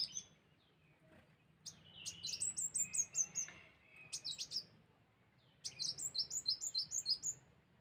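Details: Sunbird lure call: bursts of short, high, descending chirps repeated rapidly in two series, separated by a quieter pause with a faint low hum.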